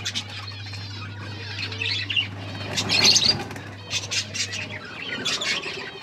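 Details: Budgerigars breeding in a colony, recorded October 29, 2023: dense overlapping chirps, squawks and warbled chatter from many birds, with brief flutter-like bursts around the middle and a steady low electrical hum for most of the stretch.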